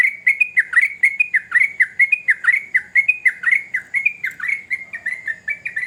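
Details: Sooty-headed bulbul singing vigorously: an unbroken run of short, bright, slurred chirps, each dipping then rising, about one per second or faster, with sharp clicky overtones above; a faint low hum underneath.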